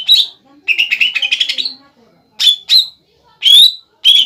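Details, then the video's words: Caged greater green leafbird song meant to stir a rival into answering: a quick rippling chatter of buzzy notes, then separate loud whistled notes rising and falling, with short silences between them. "CUCAK IJO BAHAN GACOR MEMANCING EMOSI CUCAK IJO LAWAN AGAR BUNYI DAN NYAUT"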